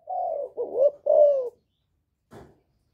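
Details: Spotted dove's Thổ-voice calling coo aimed at provoking wild males: three linked husky coos, the last longest and falling, then a soft thump.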